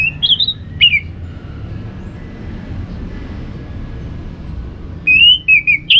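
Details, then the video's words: A caged orange-headed thrush (Geokichla citrina) gives clear, slurred whistled phrases, a short burst at the start and another near the end, with a faint steady hum between; played to prompt birds to sing. "Untuk Merangsang ANIS MERAH Berani Bunyi"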